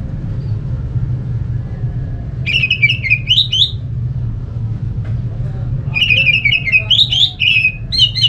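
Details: Orange-headed thrush song used as a lure for other thrushes: two bursts of quick warbled whistles with rising upsweeps, separated by a gap of about two seconds, over a steady low engine-like rumble.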